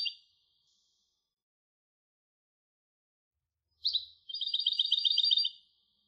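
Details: European goldfinch hybrid: the tail of one phrase, a long pause, then a sharp call note followed by a quick, even, high twittering trill of about a second.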